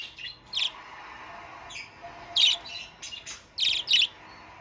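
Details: Budgerigar starting to sing energetically: irregular high chirps and short squeaky notes, some in quick pairs, over a faint continuous twitter.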